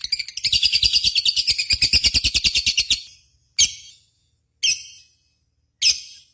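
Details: Lovebird sounds from a contest simulation played as a lure: a long, fast train of shrill chirps about six per second for three seconds, then three single harsh calls about a second apart.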